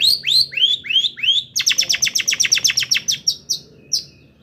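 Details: Lively long-tailed shrike song with borrowed phrases, played to make shrikes agitated. Five rising, bowed whistles are followed by a quick run of clipped, high notes that slows and fades into a few scattered chips.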